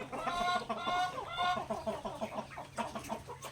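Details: Backyard native chickens eating grains, a few drawn-out harmonic calls followed by a run of short rhythmic clucks about twice a second, low hum behind.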